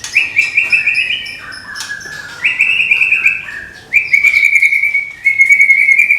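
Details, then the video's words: Murai Medan, a caged white-rumped shama being readied for a songbird contest, delivering its shooting song: rapid, loud, buzzy trilled phrases held near one pitch, each lasting over a second, separated by brief lower warbled notes. "SUARA TEMBAKAN MURAI MEDAN SIAP DIPINANG DI GANTANGAN"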